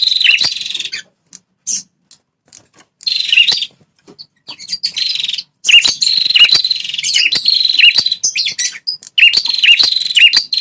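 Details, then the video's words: Red-headed prinia call used as a lure to make territorial male prinias respond aggressively: rapid buzzy trills in repeated bursts with dipping inflections, growing almost continuous toward the end. Short clicks come before them. "Suara Burung PRENJAK Kepala Merah"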